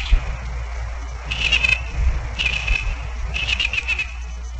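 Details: Bald eagle calls in Maine on 14 February 2009: three bursts of high, thin, stuttering chittering notes, each lasting about half a second, over a steady low rumble of wind or background noise.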